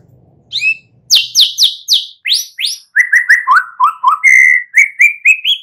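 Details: Young wild forest white-rumped shama, used to provoke a reply from other shamas. It sings a loud, fast series of sharp, descending whistled notes, then a run of lower, steady, clear whistles repeated several times a second.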